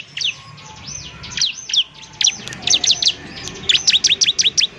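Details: Bar-winged prinia, a 'semi' ciblek singing 'gacor' as tutor material for other birds; thin high chirps that build into a fast run of sharp, repeated downswept notes.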